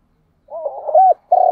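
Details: Fragment of a spotted dove's morning lure call for attracting wild doves. A quavering low lead-in rises into a firm arched coo, then a sustained steady coo begins and is cut off.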